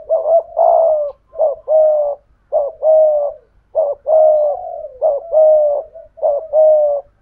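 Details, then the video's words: Spotted dove cooing: low, soft, mellow coo phrases, each a short note followed by a longer one, repeated roughly every second in a steady rhythm. "Chim Cu Mồi/ cu gay giong tho cuc dinh"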